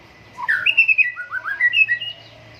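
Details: During morning dew airing, a white-rumped shama gives one rich, flowing whistled phrase of rapid linked notes sliding between mid and high pitches.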